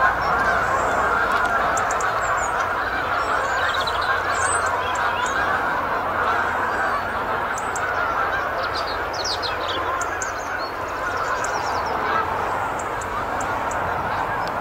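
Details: Canada geese coming in to land at Lodmoor RSPB Reserve, a dense chorus of overlapping honks that blur into a steady broad wash, with faint higher calls scattered throughout.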